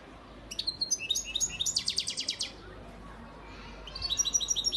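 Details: European goldfinch, a male stock bird from Antalya, Turkey, recorded in 2018, singing bright high chirped notes that run into a fast trill of about a dozen evenly spaced notes. A short pause follows, then another rapid twittering series.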